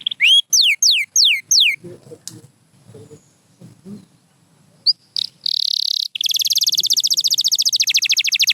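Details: A pure white canary sings four quick, high, rising whistled slurs, pauses over faint low murmuring, then breaks into a fast, bright, rattling trill.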